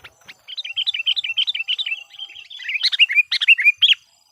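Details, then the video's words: Sooty-headed bulbul used as a decoy to call wild bulbuls: a rapid, even stream of short slurred chirps, roughly three a second, turning louder with sharp high accents in the second half. "suara PIKAT KUTILANG gacor memanggil kutilang liar"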